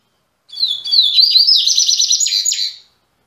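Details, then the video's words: Captive double-collared seedeater from a breeder in Salvador, Brazil, singing again after three months: a high, loud two-second phrase opening with clear whistles, then running into a fast buzzy trill of rapid repeated notes. "COLEIRO MEQUETRÉFE VOLTANDO APÓS 3 MESES"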